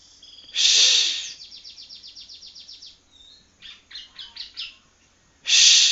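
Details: Young prinia chick learning to sing, from Palembang: a long run of rapid dry ticking notes, then a few short chirpy upslurred notes, framed by loud harsh hissing bursts at the start and end.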